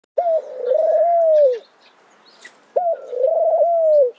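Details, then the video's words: Mourning dove cooing: two low mournful phrases, each a short rising note that slides into a long, level then falling coo, with a pause of about a second between them. "Mourning Dove Bird Sound, Song, Call"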